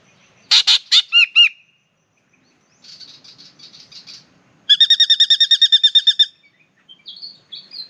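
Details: Spangled drongo (Dicrurus bracteatus) in Australia, sex unknown, comes down from the treetops to sing and bathe while its partner chats from the tree overhead: harsh buzzy notes, soft chatter, a fast run of about fourteen ringing metallic notes, rising whistles.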